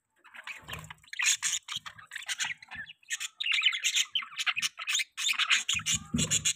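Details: Baby budgerigars kept as pets chatter almost without a break, a dense run of squawky, buzzy chirps and warbles, with a soft low thump now and then.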